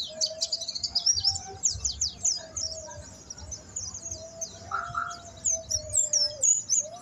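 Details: A Buxton's white-eye, learning to sing, gives high, rapid twittering without a break, with quick trills and chirps, over a steady lower whistle or hum.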